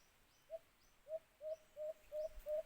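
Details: Alimokun or white-eared brown dove, in a setting of trapping with a cage trap: six short, rising, hollow coos, each a little longer and drawn out than the last, faint higher notes behind.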